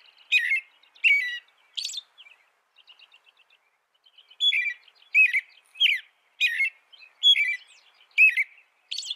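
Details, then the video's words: American robin giving sharp, chirpy song notes with high overtones, repeated roughly every half second, with a soft faint twittering patch in the middle before the series picks up again. "Suara burung american robin"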